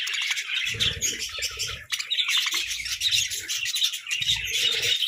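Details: Caged budgerigars squabbling over food, a dense chatter of warbled chirps and twitters running continuously, with several low thuds and rustles in short bursts underneath.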